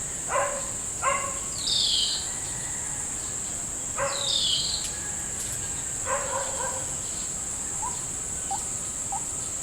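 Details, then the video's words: White-breasted waterhen lured to a trap in a salak (snake fruit) orchard: harsh, stacked croaking bursts in short pairs, with a few thin downslurred whistles between them and a steady high insect drone throughout. "mikat ruak ruak di kebun salak (jerat burung ruak ruak pikat)"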